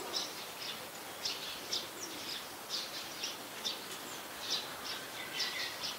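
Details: Common myna in Ubon Ratchathani, Thailand, on 15 December 2020, giving short, high, scratchy chirps in quick bursts about every half second, over a steady background hiss.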